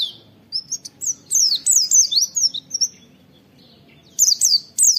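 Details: Oriental white-eye "wit wit" calling for training: a chattering string of high, slurred whistles that rise and fall, about ten notes over two and a half seconds, followed by a brief gap and three more.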